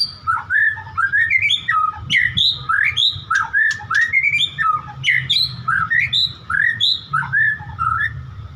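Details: Loud, rich song of a white-rumped shama, rapid sequences of sweeping whistles jumping in pitch, sharp clicks and chattering notes repeated in bursts about every half second, over low background hum.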